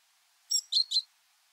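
A Great Tit gives three quick, high, slightly harsh chattering notes in about half a second, against a quiet background.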